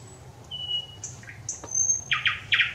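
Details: Thrush nightingale singing on 25 May 2021: thin pure whistles, one long level note and short high slurs, then three loud harsh chock notes closing the phrase over a faint low hum.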